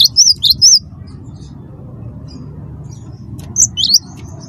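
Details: Cinereous tit of the wingko kind, calling busily as a song lure: a quick trio of high whistled upslurs, a pause, then another short burst, with a low hum throughout.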